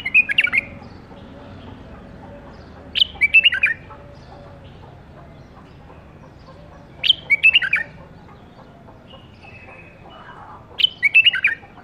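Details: Captive-bred caged bulbul of the 2018 season repeating short warbling bursts roughly every four seconds, each a fast run of bright, chirpy notes, four bursts in all, against faint background noise.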